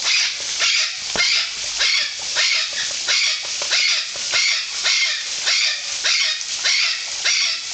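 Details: Golden conures, Parque das Aves, Foz do Iguaçu, Brazil: a loud, steady volley of harsh, buzzy screeches, about one every 0.6 seconds, roughly a dozen calls.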